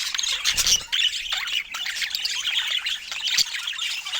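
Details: At fruit time, pet budgies keep up busy twittering, with sharp rising chirps and short squawks standing out from constant high warbling.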